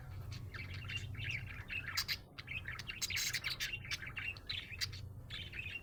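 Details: Happy budgerigar chirping with busy, chattering warbles and sharp clicks, bursts packed closely together, over a low steady hum.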